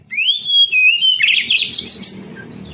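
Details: Oriental magpie-robin song played as therapy to prompt young canaries reluctant to sing: a clear rising whistle that levels off and dips, then a harsher, buzzy chattering burst that trails away.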